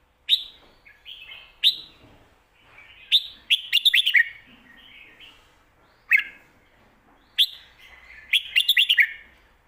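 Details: Professional competition Red-whiskered Bulbul in a cage, alternating 'lak wai' and 'mae bot' song styles: sharp single whistles followed by quick rattling strings of five or six bright notes, the pattern repeated three times.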